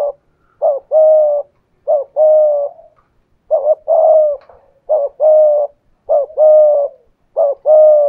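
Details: Decoy spotted dove in 'thổ pha thúc' voice, 'gù' cooing against a wild dove: evenly spaced coos, each a short rising note followed by a longer level hoarse note, about eight phrases in steady rhythm.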